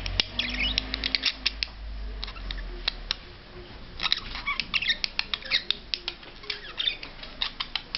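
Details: Courting budgerigar chattering in quick bursts of harsh clicks and warbles, with a faint low hum and a murmur of voices underneath indoors.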